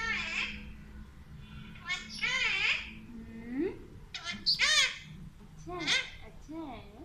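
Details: Alexandrine parakeet speaking Urdu and Hindi words in a raspy, high, nasal voice. Syllables rise and fall in pitch, coming in uneven bursts with short gaps, over a steady low indoor hum.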